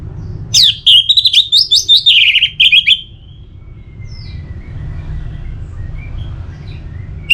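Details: Orange-headed thrush song used as a lure to get other birds singing regularly: a burst of loud, rapid, whistled and chattering notes lasting about two and a half seconds, then fading into steady low background hum.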